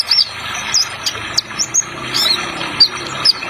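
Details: Small bird in a lure-style recording with added water sound effect: quick, very high thin chirps and short twittering notes scattered irregularly over a steady watery hiss.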